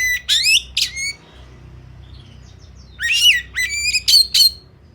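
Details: Kacer, the Oriental magpie-robin, singing in fighting style: harsh, scratchy rasping bursts and sharp rising whistles in two clusters, separated by a quiet gap of about two seconds.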